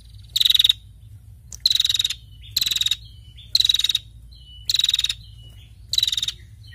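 A female prinia gives six short, dry, rapidly pulsed chattering bursts, high-pitched and about a second apart, over a faint low hum.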